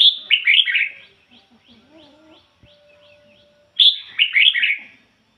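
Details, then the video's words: Ngoi bổi song from a decoy red-whiskered bulbul: two energetic bursts of quick, tumbling whistled notes about four seconds apart, with soft chirps and a faint steady tone in between. "chim chào mào mồi hót ngoi bổi giọng chuẩn ko lấn tạp ôm"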